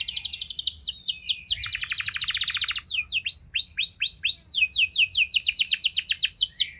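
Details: Canary in vigorous song, used to coax other canaries into long singing. A fast rolling trill with a buzzy section leads into a run of repeated arched whistles and quick chattering notes.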